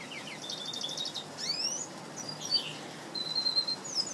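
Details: Red siskin × canary hybrid kept as a pet, singing a quick series of high chirps and short buzzy trills, then rising and falling whistled slurs and a steady high whistled note, over faint background hiss.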